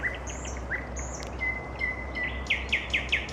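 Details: Evening nightingale song opening with a long, flat, pure whistle that gives way to a series of loud, emphatic repeated notes, while other birds whistle high above and a low hum continues beneath.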